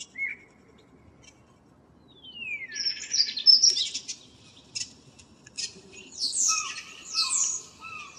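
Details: Common blackbird singing in the morning on 2 April 2013: a short high note, then a descending whistled slur, then rich warbled phrases with high twittering flourishes and lower fluty notes. The phrases come in bursts separated by brief pauses.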